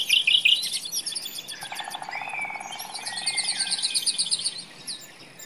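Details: A nightingale in the forest opens with loud harsh chattering notes, then a low pulsed rattle and long sweeping whistled phrases layered with high twittering, fading toward the end.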